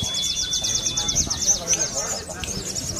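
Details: Caged Sunda leafbird from Kebumen singing a song filled with bar-winged prinia (ciblek) material: a fast series of high, sharp, repeated chirps about three per second, over a long thin steady whistle, with faint background voices.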